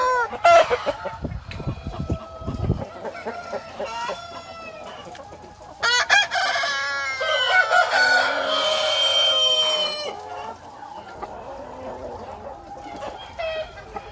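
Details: Chickens in a farm henhouse cheeping and cackling: a run of sharp clucks, then long, loud, harmonic cackling phrases with bending pitch, overlapping calls from several birds and a quieter tail of softer notes.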